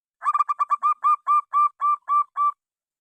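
A zebra dove gives a run of about thirteen soft cooing notes, quick and clipped at first, then longer and slower. No other sounds.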